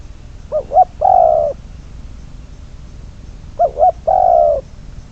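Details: Spotted dove kept as a decoy for trapping, cooing: two short rising notes followed by a longer, lower drawn-out coo, the phrase given twice about three seconds apart over a low steady hum.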